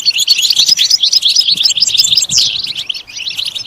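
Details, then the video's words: European goldfinch song for stimulation: rapid liquid twittering with a sharp downslurred note partway through, then thinning toward the end. "Comprehensive guide to stimulating and singing the goldfinch"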